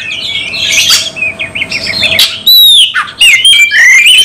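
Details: Oriental magpie-robin going straight into fighting mode, singing insistently with emotion and its full repertoire: loud, rapid, varied whistles, chirps and buzzy squawks, pausing at two and a half and three seconds, then high sweeping whistles and rising trills.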